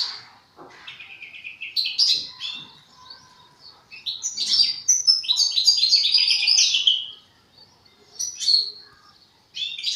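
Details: European goldfinch, a young bird in the song-forming stage: rambling subdued chirps at first, then a stronger, fast tinkling twitter passage, a pause, and a few final bright notes.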